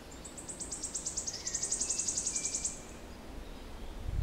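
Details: Wood Warbler song recorded 06-07-16: high, thin notes speeding up in a distinctive crescendo into a sharp, shivering trill of about two seconds, with other birds singing and a low rumble of wind.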